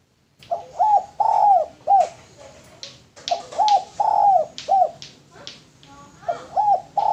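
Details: Cooing of a male spotted dove kept as a lure bird: three phrases of a short coo, a longer sustained coo and a clipped final note, repeated with sharp clicks and snapping noises between them.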